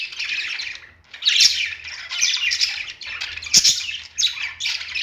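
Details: Caged parakeets chattering while perched, rough squawky warbling phrases broken by brief gaps, a sharp click-like note standing out near the middle.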